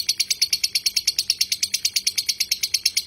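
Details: Lovebird in a long ngekek, a tutor recording: a short stretch of quick, sharp, evenly spaced high chirps forming a steady rattling trill.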